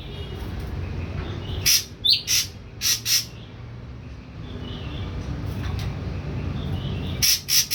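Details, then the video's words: Young wild-caught ashy drongo, kept three weeks and fully on pellet feed, just beginning to dare to sing; short harsh, broadband chip notes in pairs around two seconds in, then another pair near the end, over steady low background hum. "SRIGUNTING ABU BAHAN 3 MINGGU PUR TOTAL DAN MULAI BERANI BUNYI"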